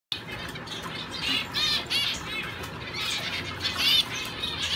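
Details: Caged male owl finch in a show cage, training for shows and singing hard; high, thin, rapid jumbled twittering phrases with quick up-and-down sweeps, coming in bursts.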